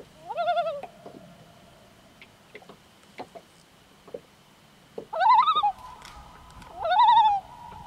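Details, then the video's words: Common Loons on Lake Nubanusit in Nelson, New Hampshire: three short, wavering, quavering calls at mid pitch with rich overtones, the first alone and the last two about two seconds apart. Faint knocks and clicks fill the quiet gaps. "The haunting call of the Common Loon"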